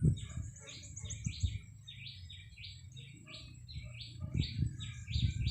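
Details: Red-whiskered bulbul in a cage, used as a decoy, 30 April 2025, giving a steady string of quick, sharp chirps, each a brief rising-falling note, over a low background rumble.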